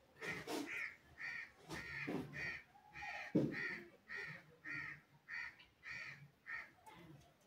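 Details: A green ringneck (rose-ringed parakeet) talking parrot gives about a dozen harsh, raspy squawks in quick succession, roughly two per second, with a brief lower whistled note midway.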